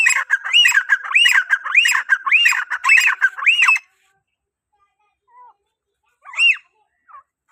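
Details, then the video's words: Grey francolin calling other francolins with about six loud, looping, arched notes repeated quickly over nearly four seconds, then quiet broken by a faint note and one more ringing call. "Teetar ki awaaz | teetar | Gray francoline teetar sound | تیتر کی اواز پر دوسرے تیتروں کو بلائیں"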